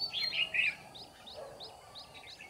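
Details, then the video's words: Red-whiskered bulbul singing as a trap decoy to attract rival bulbuls; a loud, rich warbled phrase opens, followed by a series of short, thin, upslurred whistles repeated several times per second, fading out. "Bẫy chào mào Mồi Ché đuổi cả bổi"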